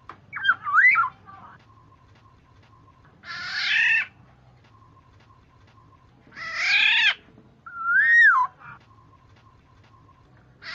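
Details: Black-naped oriole, called kepodang, used as a lure to make other orioles call back: liquid rising and falling whistles alternate with harsh, nasal, drawn-out squawks, each about a second long, over a faint steady hum.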